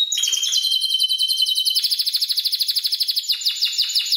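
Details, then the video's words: A Spanish Timbrado canary aged seven months, trained using electronic timbrado song, holds a brief whistled tone, then breaks into a long, very fast rolling trill that swells and pulses evenly. "Canario Timbrado Español"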